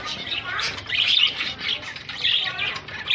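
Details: Pet zebra finches, several birds, calling in short nasal beeps that come in loose clusters separated by brief pauses, one louder call at the end.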